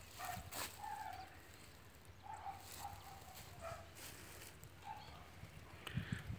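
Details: A burrowing owl (Athene cunicularia) family gives short, soft mid-pitched hooting notes, about seven over six seconds and unevenly spaced, over steady low wind rumble and a few clicks.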